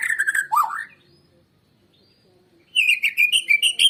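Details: Lure recording of a white-rumped shama, used to get birds singing: a rich fluting whistled phrase, a pause, then a fast run of sharp high piping notes.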